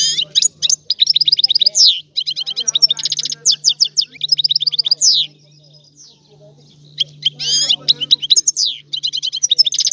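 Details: European goldfinch singing: fast twittering phrases of high, tinkling notes and buzzy trills, broken by a quiet gap mid-clip before the song resumes, with a steady low electrical hum underneath.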